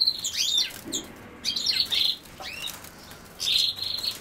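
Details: European goldfinch, associated with common sow-thistle, pouring out twittering notes, a sustained buzzy trill and swooping whistles in quick succession, then a short pause.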